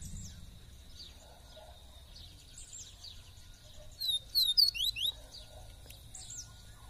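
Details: Caged male Double-collared seedeater in Brazil, inside a covered cage during a morning walk, gives a short burst of fast, sharp, slurred whistled notes, rising and falling, after a quiet stretch with faint background noise.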